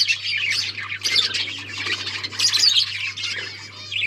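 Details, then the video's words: Many budgerigars chirping and chattering at once, a continuous, busy wash of high squeaky warbles and squawks with no real pauses, over a faint low hum. "Budgies bird talking sounds | Birds chirping sounds"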